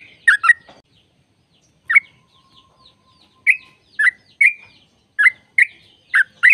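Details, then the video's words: Sooty-headed bulbul kept as a caged bird, its song played to stimulate other caged birds: short bubbly liquid phrases, each a quick burst of notes, spaced irregularly with pauses of up to a second and a half between them. "PENDONGKRAK ROPEL‼️ Jadikan burung trucuk gacor trucukan gacor tempur ropel panjang"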